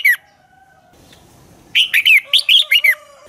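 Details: Red-whiskered bulbul giving dueling song as a lure bird to train and stir other bulbuls to sing: a brief note, a quiet gap, then a burst of six loud, bright, slurred whistled phrases dropping in pitch, with faint background tones.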